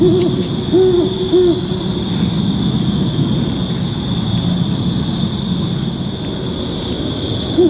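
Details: Great horned owl pair hooting their duet in October at about 6:45 PM to strengthen pair bonds and mark an occupied territory; low soft hoots come in short groups, partly masked by broad rumbling background noise and a steady high hiss.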